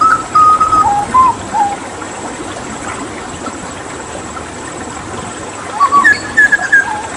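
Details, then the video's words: Papuan hooded butcherbird, a mimic used as a tutor for other songbirds, gives a few mellow whistled notes that drop in pitch. A long quiet gap follows, then a short rising and falling whistled phrase near the end. "Masteran Tembakan JAGAL PAPUA gacor"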